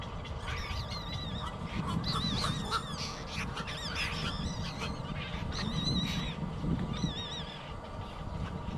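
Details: Nestling bird begging for food from its mother until it falls asleep: high, wavering whistled cries with a trilled, warbling shape, repeated in quick bursts over a steady low rumbling background noise.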